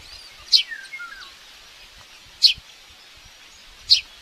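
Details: Baby common buzzard begging aggressively at breakfast feeding in its nest at Tiszalök, Hungary, May 5, 2024, captured on a live nest camera. Three sharp, high squeaks about one and a half seconds apart, with a faint gliding whistle after the first.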